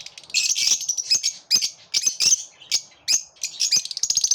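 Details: Several lovebirds singing together: nearly continuous shrill, buzzy squeaks and twittering notes, dense and overlapping, ending in rapid trilled pulses.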